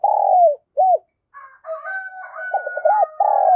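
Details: Lure spotted dove with the thổ thúc voice calling strongly. Loud drawn-out coo, a short arched note, then a whistled tone layered over a rapid series of deep, rounded coos.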